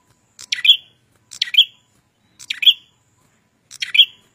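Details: Four crisp, high-pitched chirps from a red-headed prenjak singing vigorously, evenly spaced about a second apart, each a short buzzy sweep with a bright ending note, against silence.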